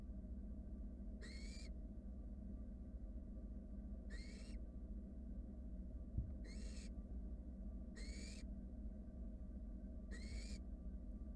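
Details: Barn owl chicks begging in a wild nest box as one sibling swallows a rat: five rasping, hoarse screeches spaced about two to two and a half seconds apart, with constant low background rumble and a soft knock.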